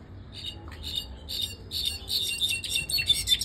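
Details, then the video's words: Pet European goldfinch, recorded 2024, singing a bright, tinkling twitter of quick high notes that grows denser and busier toward the end, over faint room noise. "Mi jilguero el pompeyo cantando!"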